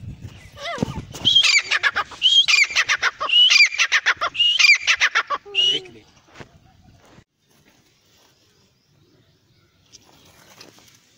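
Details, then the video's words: Male and female black francolins (teetar) calling: a rapid sequence of four harsh phrases, each a sharp whistled note followed by rattling clicks, filling about five seconds before fading into near silence. "best francolin voice. teetar ki awaz. male and female teetar voice"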